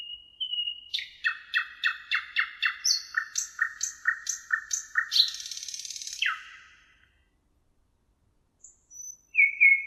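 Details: Thrush nightingale on the Emajõgi river, Tartu, Estonia, 1 June 2018: a clean whistle leads into a long train of rapid repeated clicking notes, then a harsh buzzing rattle, a pause and a faint renewed whistle.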